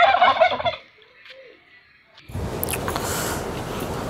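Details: Domestic turkey answering people's takbeer chant with a brief, loud rattling gobble, then a quiet pause before a burst of broad rushing noise.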